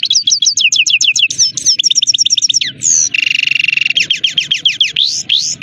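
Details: Saira, the Himalayan goldfinch, delivering a lively song of repeated downslurred chirps about three per second, a sharp high whistle, then a long buzzy rattling trill before more bright twitters.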